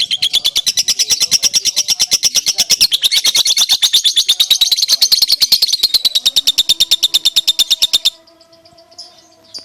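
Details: Lovebird, a bird whose singing style includes occasional head-nodding, kept as a masteran recording to prompt silent lovebirds to answer; a fast, harsh, even chattering repeated about three times a second for eight seconds, then stopping, with faint room sounds after.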